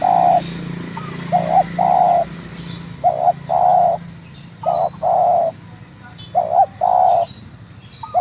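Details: Spotted dove, local bird of Kramat, Tegal, calling in a steady series of paired coos, a brief note followed by a longer mellow one, repeated roughly every two seconds over low rural hum.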